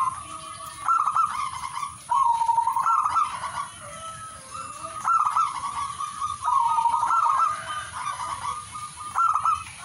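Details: Zebra dove song with several rolling, vibrating coo phrases, one dipping lower before rising, delivered in irregular bursts with quieter trills between, and a continuous thin high whine in the background.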